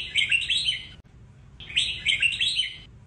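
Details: A red-whiskered bulbul sings a "Sông Kôn" style song used for training other bulbuls: two bright, bubbling phrases of rapid warbled notes, each about a second long, separated by a short pause.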